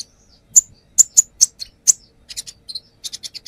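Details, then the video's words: Brown-throated sunbird singing as a lure, showing off its repertoire: sharp, very high isolated chips spaced irregularly, followed by softer quick clusters of thin notes and a closing rapid run of short high tones. "AKSI KONIN NAGEN BONGKAR ISIAN | Pancingan konin"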